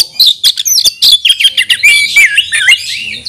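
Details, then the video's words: A kacer, the Oriental magpie-robin, calls out for a rival to fight. Loud sweeping whistles slide up and down, woven among quick sharp chips, in one energetic, tumbling phrase. "Teriakan KACER panggil lawan tarung"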